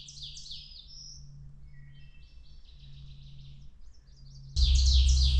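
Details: Black-and-white Warbler right overhead along a forest trail on a clear, calm spring morning in May, giving very high, thin, squeaky paired notes in a quick series, with fainter notes from another bird, a low hum, and a loud rustling burst at the end.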